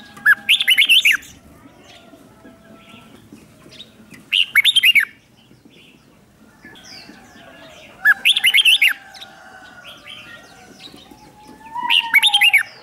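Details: Lure red-whiskered bulbul calling wild bulbuls: four repeated phrases of quick, looping whistles, one about every four seconds, each lasting around a second, over faint low background.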